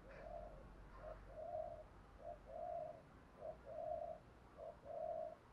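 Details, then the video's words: Spotted dove giving thúc gù coos in the style of a wild-caught bird: a faint, distant series of low hollow coos in short-long pairs, repeated about every second, over a steady background hiss and low rumble. "Tiếng chim cu gáy thúc gù bài bản bổi nghe rất xiêng gáy, giọng hạp bổi"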